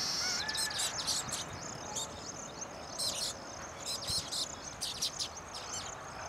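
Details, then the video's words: Baya weavers chattering at freshly built nests during a mating display; bursts of dry, high chirps come in short clusters, several birds together, over a steady faint hiss. "Baya Weavers sing and dance after building their nests"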